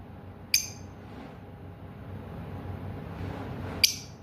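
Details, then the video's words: A lovebird gives two sharp, shrill chirps about three seconds apart over a low indoor hum. "Love Bird chirping"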